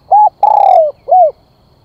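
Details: Lure spotted dove calling to attract birds. A close, loud phrase of three coos: a level rounded coo, a long grainy coo sliding downward, then a softer arched coo. The background is quiet.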